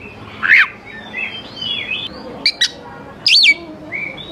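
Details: Oriental magpie-robin used to coax young wild birds to sing, a few scattered notes: a downslurred whistle, soft thin slurs, two short high chips and a sharp inverted-V note.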